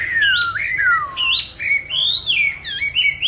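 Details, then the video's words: A songbird kept in a cage, bought 19 May 2020 and fed a stable bran diet, sings loud, sweeping whistled phrases that slide down and jump back up, continuous and bright. "cám ổn định hót mọi địa hình ,mọi giờ giấc"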